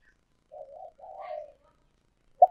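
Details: Old wild-caught decoy spotted dove, used to lure wild doves into a trap, giving two soft, low, wavering coos, then one sharp short note at the end.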